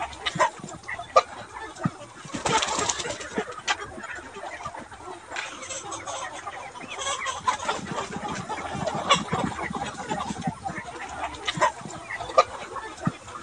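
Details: Mixed free-range flock of Ga Noi, Ga Tre bantam and crossbred chickens roaming a wide yard by day, foraging for insects and greens; many overlapping short clucks and squawks from several birds at once, with sharp bursts around the middle.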